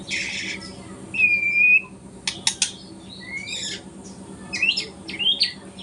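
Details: Morning practice song of a young speckled White-rumped shama still learning: a long level whistle, a few sharp clicks, then short rising whistled phrases separated by pauses.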